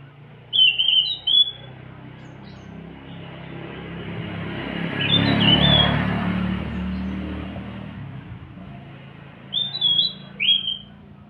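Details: Morning song of a scaly thrush: short clear whistled notes, falling and slurred, given in two brief bursts at the start and near the end, over a steady rumble of traffic or engine noise.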